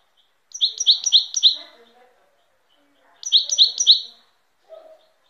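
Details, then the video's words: European goldfinch giving two short bursts of four high, bright twittered notes each, separated by a pause of over a second, with a faint low chatter beneath. "تغريد طائر الحسون chant de chardonneret"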